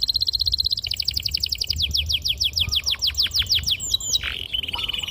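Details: Canary lure song used to train young canaries to sing, a long, clear, sharp rolling performance: a fast high trill, then a series of rapid descending sweeps, breaking into whistled slurs and a buzzy, lower rattle.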